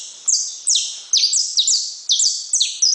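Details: Saffron finch song: bright, high notes repeated about twice a second, each sliding sharply downward, ringing with a strong echo against a quiet background.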